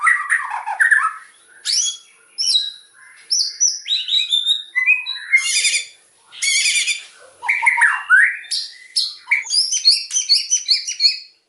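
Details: Loud, energetic white-rumped shama song of varied whistles, harsh chattering bursts and rapid high trills in separated phrases, ending with a quick run of bright repeated notes.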